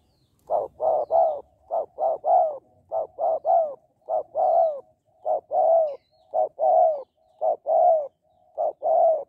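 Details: Spotted dove used to stimulate males to call quickly, in a Vietnamese 'Hạp Bổi' voice style: low hollow coos in short paired and triple phrases, repeated steadily for nine seconds with quiet gaps between groups.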